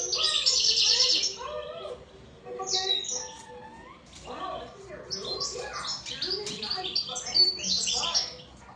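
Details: Lively European goldfinch twitter: bursts of high, tinkling and buzzy notes strung irregularly across several seconds, loudest at the start.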